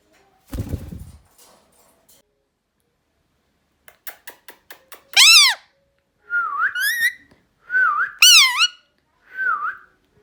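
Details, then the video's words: Indian ringneck parrot screaming and whistling loudly: brief sharp clicks, then bursts of wavering, rising-and-falling whistled screeches repeated several times, with a short thump near the start. "Loud Indian Ringneck parrot screaming and whistling"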